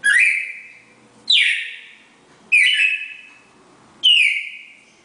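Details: Classic four-note Bagé song from a red-crested cardinal pair: four strong whistled notes spaced over a second apart, each a bright sharp onset dropping into a fading level tone, clean and quiet between.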